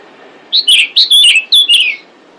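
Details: Calling female pied bushchat, meant to attract males: one continuous run of bright, sliding whistled chirps, roughly seven notes packed into one and a half seconds, descending slightly at the end.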